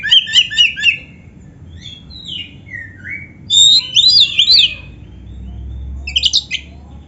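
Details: Oriental magpie-robin in song mixed with canary imitations. Quick, tremulous high chirps open the phrase, then sliding whistles, loud zigzag warbled notes, and a final short twittering flourish over a faint low hum.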